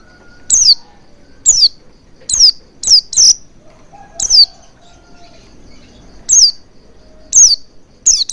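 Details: Oriental white-eye, played as a lure to make birds sing and open their beaks fully: thin, high, downslurred tsee notes, singly or in quick pairs, spaced irregularly about a second apart, over quiet background.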